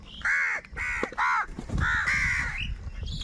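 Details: Loud, harsh angry cawing from crows fighting for food, several caws in rapid succession with some overlapping and a higher note at the close.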